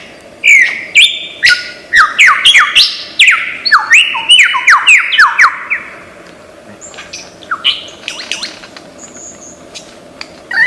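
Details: Loud rapid cascade of descending whistled notes from a mimicking lyrebird, an Australian forest bird, about two notes per second, fading into softer varied chirps and thin high whistles.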